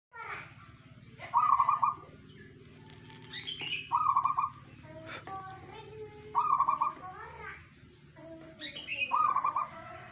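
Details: Local zebra dove, called perkutut, cooing in its manggung style: short rolling trilled coos repeated about every two and a half seconds, with other birds' whistles and chirps in between and a low background hum.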